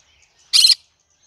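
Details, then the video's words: A single short, rasping screech from a cinnamon green-cheeked conure in a quiet room. "I like Green cheek conure : Chinnamon conure singing to day so funny."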